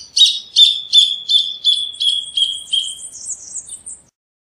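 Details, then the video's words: Rufous hornero song: an evenly paced run of bright, piercing notes that gradually weaken and merge into a thin, high trailing trill. "Hornero Canto - Rufous Hornero Bird Song"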